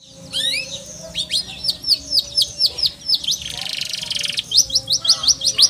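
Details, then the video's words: Canary song with sharp falling notes repeated at an uneven pace, broken by a short harsh buzzy rattle, then resuming with quick high chips. "KENARI CORDOR"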